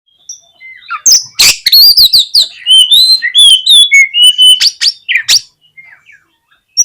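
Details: Oriental magpie-robin song used as a lure to provoke lazy birds into fanning their tails and fighting: a rapid, varied run of high whistled slurs and trills, broken by sharp harsh bursts, fading into scattered faint notes.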